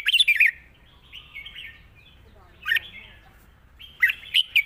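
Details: Caged red-whiskered bulbul singing a long wild-style phrase: quick warbled, bubbling notes in short bursts with brief gentle slurred whistles between, separated by quiet gaps.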